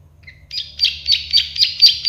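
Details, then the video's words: Plain prinia, called prenjak sawah or klik-klik bird, recorded to tutor songbirds: a faint opening whistle followed by a steady, rhythmic series of loud buzzy clicks, about four per second. "Masteran burung prenjak sawah klik-klik"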